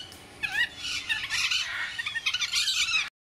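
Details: Blue-and-gold macaws, a pair aged eight and seven years, give harsh, raspy squawks that run almost unbroken for about three seconds, loud and grating with rough overlapping bursts, before cutting off abruptly.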